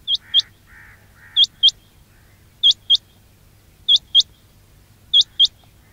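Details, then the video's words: Quail calling sound for trapping: clean pairs of high, upward-flicking chirps repeated at regular intervals of about one and a quarter seconds, with a few softer, lower calls near the start. "quail batair ki awaz"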